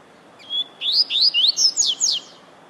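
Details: Rusty-collared seedeater warming up its song, a thin drawn-out whistle leading into a rapid series of six bright, slurred chirps, each sweeping up and down, against low steady noise.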